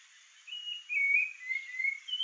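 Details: Rufous-bellied thrush guarding the surroundings of its nest, giving a short stretch of song: a few smooth, slurred whistles, mostly falling, strung closely together over a steady faint hiss.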